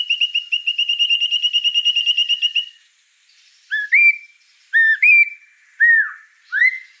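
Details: Singing white-rumped shama, described as gacor: a long, fast trill of even high notes, a pause, then four separate, emphatic upslurred whistles spaced about a second apart.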